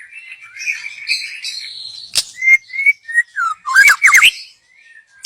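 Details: Wild young white-rumped shama, forest bird, song used as a lure; soft high warbling, then clear whistled notes, a sharp click, and a loud run of rapid slurred whistles.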